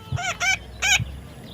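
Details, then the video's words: A baby parrot utters a pair of quick, rasping squawks and then a third, each note broad and overtone-rich, with dull thumps underneath. "natural funny parrot sound"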